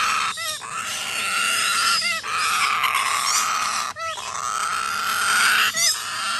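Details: Begging Major Mitchell's cockatoo chick giving sustained grating, nasal rasps that run almost unbroken, with four quick pauses marked by short upward-bending squeaks.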